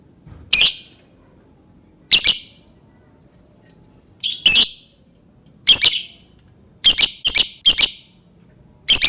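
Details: Lovebird calling, used to start other lovebirds singing: loud harsh squawks, often doubled, repeated every one to two seconds and crowding closer together toward the end.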